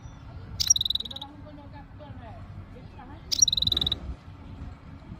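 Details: Goldfinch (meqnin) in Jijel, Algeria, described as ready for mating. Two separate phrases about three seconds apart, each a bright clipped note running into a fast, evenly pulsed buzzy trill, over steady low rumbling noise.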